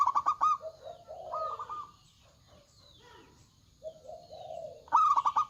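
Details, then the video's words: Zebra doves, both sexes, in a noisy cooing exchange: loud rapid stuttering coos at the start and end, with lower rolling coos and a quiet pause between. "PERKUTUT LOKAL GACOR Suara Besar"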